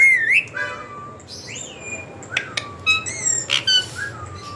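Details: A pet talking rose-ringed (ringneck) parakeet speaks in squawky, nasal, speech-like phrases mixed with rising and falling whistles and sharp chirps, delivered in quick bursts.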